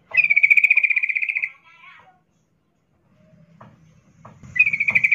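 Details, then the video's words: Breeding-condition female sooty-headed bulbul calling a male. A long, steady, pulsed buzzy trill lasts about a second and a half. Faint low rumbles follow, then the trill starts again. "Trucuk Betina memanggil jantan Suara NgeroL birahi"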